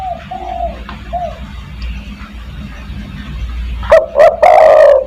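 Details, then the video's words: Spotted dove in 'kuk 1' style, calling to draw other doves: soft, distant cooing at first, then one loud phrase at the end, two short sharp notes and a drawn-out, rolling, slightly falling coo. "burung DERKUKU tekukur master gacor kuk 1 sangat mewah untuk memanggil teman"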